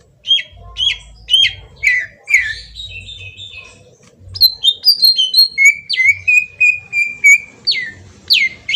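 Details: Kalimantan green leafbird lure song used to provoke a response. Sharp, high whistled notes open the song. Warbling slurred phrases follow, then a string of steady, repeated ringing whistles on one pitch, with a faint low thumping underneath.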